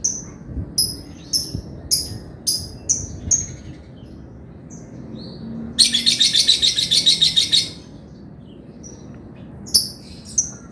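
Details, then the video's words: Male lovebird singing actively, for use as a tutor recording. A run of evenly spaced, clipped high chirps gives way to a dense, buzzy trill lasting about two seconds, then a few more chirps. "SUARA BURUNG LOVEBIRD GACOR JANTAN"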